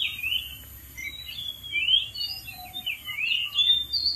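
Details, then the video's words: Wild Oriental magpie-robin in full song from a dead tree: continuous medley of sweet sliding whistles and brief harsher notes, varying in pitch. A soft lower whistle is heard faintly beneath. "KICAU BURUNG KACER DI ALAM LIAR | GACOR DARI ATAS POHON MATI"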